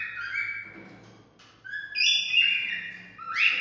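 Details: Cockatiel singing, sound meant to stimulate mating: softer whistled notes over light background noise, followed by louder bright whistles stepping up and down and a final sharp upward note.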